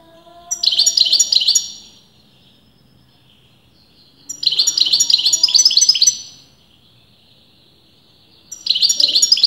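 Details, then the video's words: Bursts of quick, metallic twittering from a European goldfinch whose sex breeders debated, each phrase about a second and a half long, separated by quiet pauses with a faint thin tone. "غناء متواصل لمقنين"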